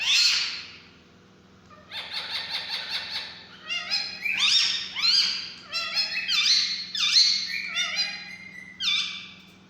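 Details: Young Alexandrine parakeet chicks begging during hand feeding, giving a run of harsh, grating squawks and chattering calls, some sliding down in pitch, with short gaps between bursts and a low hum in the background.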